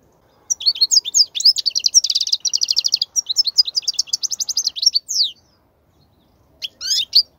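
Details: European goldfinch wild song played to teach chicks: a long, rapid stream of tinkling twitters and buzzy trills lasting about five seconds, then silence and a brief final flourish.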